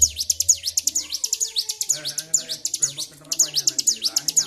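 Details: Agitated, highly excited Bar-winged prinia singing nonstop: rapid, regular series of high, sharp downward-sweeping notes, roughly two per second, with faint low hum and muffled background sounds beneath.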